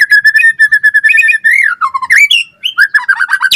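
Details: Murai batu 'gacor' song for training: a fast run of repeated even whistled notes, then swooping slurs and a dense burst of mixed phrases toward the end.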